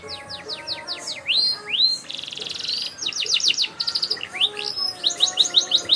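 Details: Energetic canary song rich in variation, opening with a quick run of descending whistles, then two upward slurs, a dense buzzy trill, and bursts of clipped notes repeated about three per second.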